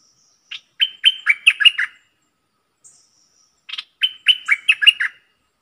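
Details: Decoy bulbul singing two lively phrases separated by a pause, each a quick burst of liquid, chirpy whistles with falling slurs, the second phrase repeating the pattern of the first.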